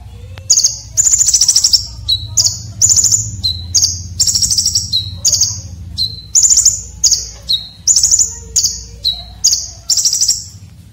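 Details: A red-breasted konin delivers sharp, rough filler song for training competition birds. Rapid high trilled bursts alternate with short lower pure whistles, phrase after phrase with barely a pause, for about eleven seconds.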